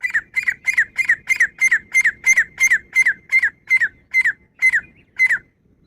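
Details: Female grey francolin uttering a long, steady series of loud, piercing notes with a downward-bending tail, about three each second, gradually slowing and spacing out toward the end.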